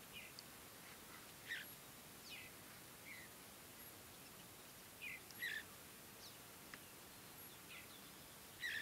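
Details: Juvenile Mountain Bluebirds (Sialia currucoides) in early morning light at Great Sand Dunes National Park, Colorado, grooming, being fed and starting to forage, give soft, short chirps every few seconds over a steady outdoor hush.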